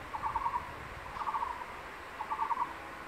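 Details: Crested goshawk male calling the female at their nest in secondary forest to come eat his lizard prey: three quick rattled bursts of stacked short notes, roughly one per second, against a soft forest hiss.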